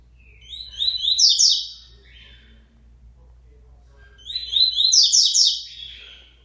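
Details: Two matching high-pitched song phrases from a Double-collared seedeater resuming song after its moult, each a fast run of buzzy, downslurred notes lasting about a second, separated by roughly three seconds of quiet over a low background hum.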